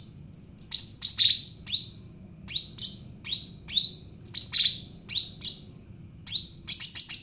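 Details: Javan cucak ranting bulbul singing actively, used as a lure to draw out untrained birds: bright high chirps and short down-slurred whistles in quick bursts, separated by brief pauses, with a steady faint low hum beneath.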